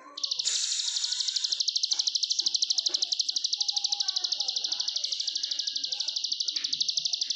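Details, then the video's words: Indonesian plain prinia (ciblek sawah) singing ngebren nonstop: one unbroken stream of fast, regular, buzzing high notes lasting several seconds, faint scattered lower sounds beneath. "Kicauan Ciblek Sawah Ngebren NONSTOP!"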